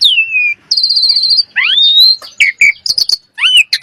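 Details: Common myna in a mixed vocal sequence: a descending whistle, a rapid high trilled note, a long rising whistle, then scattered chattering clicks and short whistled phrases.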